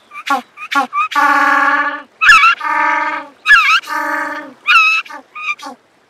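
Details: African penguin, also known as jackass penguin, braying loudly: a few short sharp notes lead into long drawn-out nasal brays with strong harmonics, alternating with brief gasping notes, much like a donkey's call.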